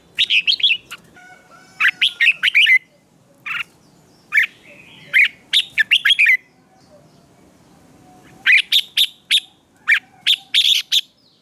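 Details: Contest-trained red-whiskered bulbul in morning song; repeated groups of crisp, fast whistles and warbles, some long twisting phrases, with pauses between groups and soft low background noise.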